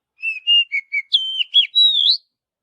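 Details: Oriental magpie-robin singing naturally in forest: one phrase of clear whistled notes, two steady level whistles, two short lower notes, then higher wavering and rising whistles, about two seconds long, no other sounds.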